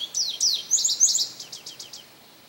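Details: A male Indigo Bunting singing at St. Johns Conservation on May 25, 2022: a rapid run of high, sweet, paired notes with quick downward sweeps, trailing off after about two seconds; nothing else is heard.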